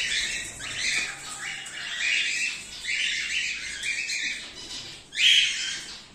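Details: Colony of breeding cockatiels, cream-face ino and normal grey, season 2024/2025, producing a steady run of grating squawks about once a second, ending with one louder shriek.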